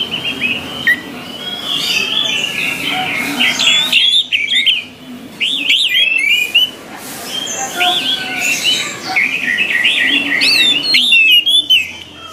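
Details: Orange-headed thrush in a recording used to train kept birds to sing readily. A fast, warbled, whistled song with rapid loops and rising and falling phrases, given in bursts separated by short pauses.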